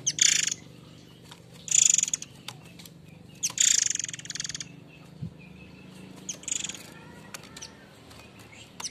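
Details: White-rumped shama (murai air mancur), a constant singer, giving harsh notes used as a lure sound to train other birds: three loud, rasping, noisy bursts about every 1.7 seconds, then a fainter one, over a low steady hum.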